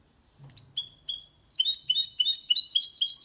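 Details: Goldfinch × canary mule singing clean song to stimulate males and teach young birds: a couple of thin whistles build into an accelerating, tinkling cascade of repeated sliding notes.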